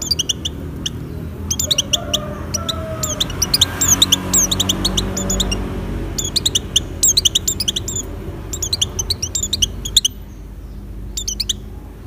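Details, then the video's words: An Oriental white-eye in breeding condition, singing to lure other white-eyes, delivers scattered bursts of quick, high, thin twitters. Pauses fall between the clusters, and a low background rumble fades after the middle. "suara pleci birahi buat pancingan pleci lain"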